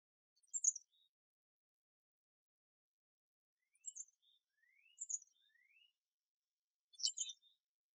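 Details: At a backyard feeder visited by chickadees, wrens, finches, sparrows, titmice, cardinals, mockingbirds and doves, small birds give four brief bursts of high, thin chirps, some with faint rising slurred notes, against a quiet background.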